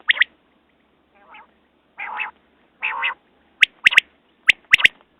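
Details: Quail voice: a quick doubled high note, then three rasping, nasal buzzes spaced about a second apart, then a series of sharp, snapping high notes in pairs.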